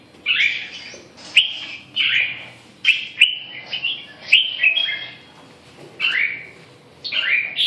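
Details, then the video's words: Red-whiskered bulbul delivering separate bright whistled phrases about every second, each a fast slurred warble, spaced irregularly with short silences between. "chim Chào mào"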